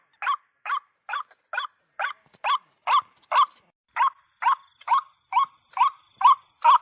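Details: Female white-breasted waterhen calling, used to lure stubborn birds out: about fifteen evenly spaced harsh croaks, roughly two a second, with a thin high whine starting partway through.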